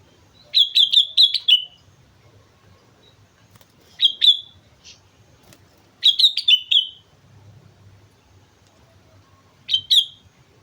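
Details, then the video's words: A sooty-headed bulbul on Mount Slamet sings vigorously in four bursts of chattering whistled notes spaced a few seconds apart. The first and third bursts are longest, and a faint low hum runs beneath. "suara burung kutilang gacor gunung slamet"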